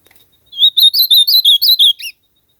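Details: Azulão, the ultramarine grosbeak, in full song: a rapid string of about nine sweet whistled notes with wavering pitch, ending on a lower downslurred note, over silence.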